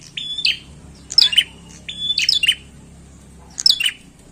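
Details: Bar-winged prinia gives clipped, high chirping phrases, a level whistled note followed by falling chirps, repeated three times with short silences.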